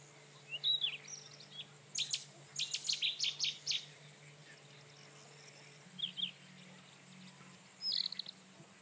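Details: Rufous-tailed scrub robin pouring out a burst of rapid, sharp repeated notes, followed after a pause by shorter whistled phrases, against a faint background hum.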